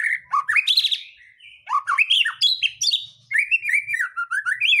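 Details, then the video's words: White-rumped shama singing to provoke other birds: varied whistled phrases sweeping up and down, a sustained steady tone, then fast chattering and warbling notes in a rich, loud sequence. "Pancingan murai batu mendongkrak keluar isian"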